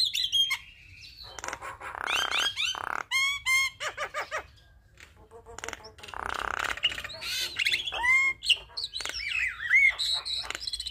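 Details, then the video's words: Javan myna in strong song, a master recording used to teach and prompt other starlings: long harsh hissing phrases mixed with rapid stuttered notes, sharp rising and falling whistles and squeaky fragments. "Jalak Kebo Gacor Full Isian Masteran Dan Pancingan Semua Jenis Burung Jalak"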